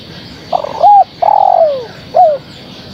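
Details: A female spotted dove calls for the male with one full phrase: broken opening coos rising into a hooted note, then a sustained coo gliding lower and a short downslurred ending.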